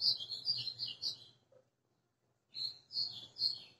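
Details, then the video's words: White-throated seedeater singing vigorously in the azulão style, recorded 20 April 2020: rapid high, slurred warbled notes in a fast chattering phrase, a pause of about a second, then a second bright burst of similar notes. "GOLINHA AÇOITANDO LINDO"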